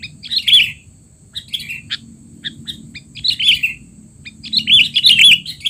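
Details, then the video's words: Noisy 'teler' calls of a sooty-headed bulbul, used as tutoring for young bulbuls: bursts of scratchy chirps and short notes at irregular intervals, louder clusters at the start and end, with a steady high-pitched hum. "burung kutilang teler!! suara ribut paling cocok untuk kutilang bahan"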